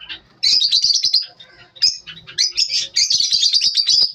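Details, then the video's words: Lovebirds at morning, bursts of shrill rapid chirps and twitters, a short quieter gap in the middle, then a longer run of fast high chattering notes. "lovebirds morning 🌅 natural sound"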